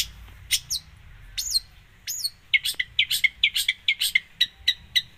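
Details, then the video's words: Cendet, or long-tailed shrike, in lively 'full isian' song. Sweeping upward notes open the phrase, followed by a rapid, steady string of sharp chirps over a low background hum. "cendet gacor full isian"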